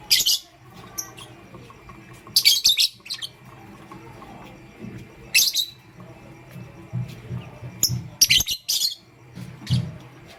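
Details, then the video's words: Pet lovebirds, a pastel gray and a green bird, in the morning: shrill, high chirps in short bursts, several spread through the recording, with a low hum underneath. "Pastel Gray LoveBird Chirping Sound"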